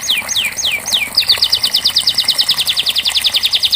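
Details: Canary song to prompt a stuck canary to sing: four loud downslurred sweeps, then a long fast series of short repeated notes, about eight per second.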